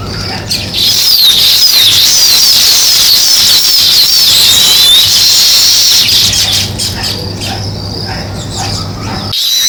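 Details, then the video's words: A noisy sparrow flock keeps up rapid, overlapping chirps for nearly ten seconds, bright and busy, over a faint low drone that cuts off sharply at the end. "Sparrow Chirping"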